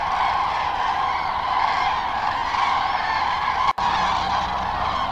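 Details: Common Cranes returning in late afternoon to their overnight quarters on Lac du Der-Chantecoq, a migration stopover lake in northern France. A dense, continuous chorus of many overlapping calls, with a brief dropout near the end.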